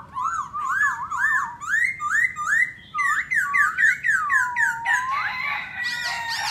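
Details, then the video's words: Black laughingthrush in peak song: a flowing series of looping, warbled whistles rising and falling, repeated rapidly, ending in a brighter tangle of high notes. "Khướu mun hót múa đỉnh"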